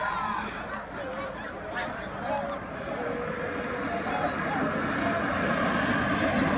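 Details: A big flock of Tundra swans on the lake at Middle Creek keeps up a steady, overlapping clamor of high, mellow hoots and yelps, with a faint rumble of traffic or distant voices beneath.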